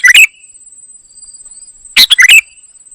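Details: A kutilang emas (ruby-throated bulbul) in gacor isian song gives two quick bursts of sharp, tumbling warbled notes separated by nearly two seconds of quiet, with a continuous high whine.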